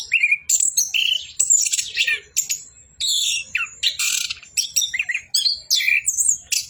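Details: Singing nonstop in 'bocor' fashion, an orange-headed thrush pours out loud, varied phrases: rising and falling whistles, harsh buzzy bursts and clear piping notes packed tightly together.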